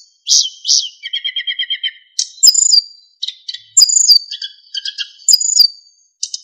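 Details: Narcissus flycatcher master song for training other songbirds, rich in fills and clear fluting: two loud whistles, then a fast descending rattle of even notes, followed by bright sharp chirps and warbled phrases separated by brief gaps.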